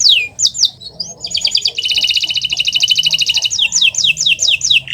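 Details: Kenari Nusantara canary master song used to set off non-singing canaries: a few falling whistles, then a fast rattling trill of about two seconds, ending in slower repeated slurred notes.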